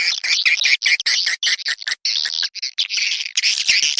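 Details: Swiftlets called in with a lure recording of bright, irregular chirps and twitters grouped in short clusters.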